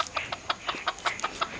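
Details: Wild red junglefowl recorded during a hunt in 2019, giving a rapid series of short, sharp clucking notes, about five or six per second, evenly spaced across the clip, with faint background hiss.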